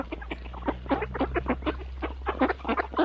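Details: Mallard ducks feeding in the morning, dense rapid nasal quacking and chattering from a group, steady low rumble underneath throughout.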